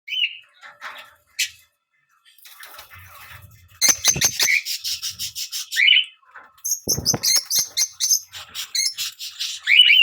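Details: Fischer's lovebird chirping: scattered high chirps and a short pause, then dense bursts of rapid, rasping high twitters and squeaks with rustling and clicks between them.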